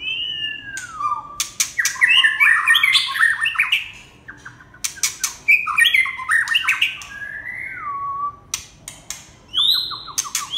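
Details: Red-whiskered bulbul giving lively, bubbly warbled phrases and slurred whistles, one long note falling steeply, mixed with sharp clicking taps that recur throughout.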